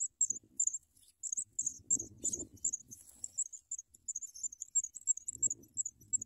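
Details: Sprague's pipit chicks fed big worms: continuous shrill, very high chirps repeated about three per second, over low rustling and handling noises in the nest.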